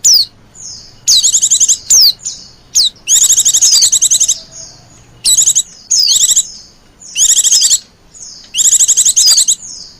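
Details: White-eye lure sound used to draw in wild white-eyes: thin, high descending slurred notes alternate with bursts of rapid, tinny trilled chatter, separated by short silences, with a faint low hum beneath.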